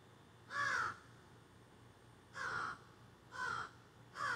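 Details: Several crows in the trees behind a garden, recorded on a cell phone, squawking: four harsh, hoarse caws about a second apart, each a short rasping burst, with quiet background hum.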